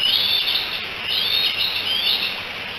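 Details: Three young bald eaglets on a Decorah nest, 16 July 2018, chatter and probably call for mom: clear high whistled notes, some sliding upward, repeated in quick succession through a steady hiss.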